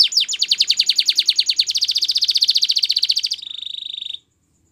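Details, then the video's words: A Belgian canary sings a fast, buzzy trill of tightly packed high notes for over three seconds, then drops into a softer, rolling trill before falling silent, morning song. "Belgian Canary Singing In The Morning"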